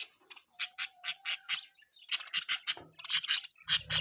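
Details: Pet budgerigar giving bright, sharp chirps in quick runs of about five or six notes, each run separated by a short pause, with a faint low buzz at the end.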